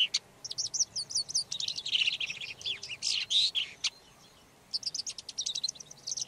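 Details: Scratchy, hurried warbling from a red-backed shrike (Lanius collurio), with fast series of high looping chirps, harsh buzzy notes and twittered runs, a short pause, then another quick chattering series.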